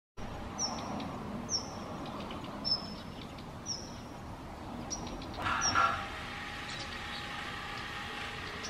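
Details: A Daurian redstart, the first of the season, seen from a balcony in front of a house in Japan on 22 October 2022, gives thin, high, slightly falling whistled notes about once a second over a steady hum and a brief louder rustle.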